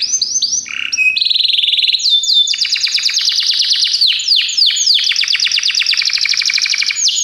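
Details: Training song of a Belgian canary: a continuous stream of rapid trills and sweeping whistles, shifting between fast rolling tours without pause.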